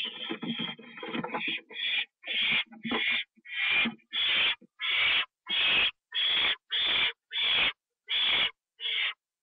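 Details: Owl fed a treat, eaten inside, 25 September 2011 at 1:52 AM: a noisy, jumbled opening gives way to about twelve loud rasping hisses spaced around 0.6 seconds apart.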